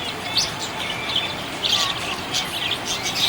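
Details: Cheerful budgie chirping: rapid squeaky high chirps and chattering warbles run almost without pause, with brief swells of louder notes, over light background hiss.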